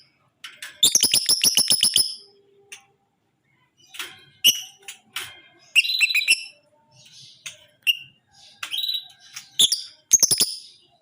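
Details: Tame but aggressive lovebird in full 'ngekek' chatter: a fast rattling trill of sharp high notes for over a second, followed by scattered shrill chirps and buzzy squeaks in uneven bursts.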